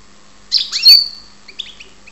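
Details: European goldfinch from Ptolemaida, Greece, gives one buzzy chirping burst ending in a thin ringing whistle, followed by a few soft twittering notes, in a quiet room.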